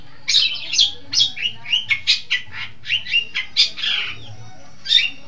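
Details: Long-tailed shrike from East Java, a lively singer, delivering a rapid run of harsh, high chattering notes and slurred whistles, ending after a pause with one more sharp note.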